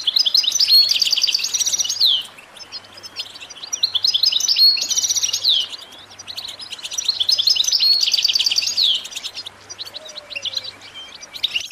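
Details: Goldfinch singing phrases of about two seconds, each a sweet, rapid twittering run ending in a buzzy trill, split by short gaps, with a faint low hum behind. The recording is meant to motivate goldfinches to sing.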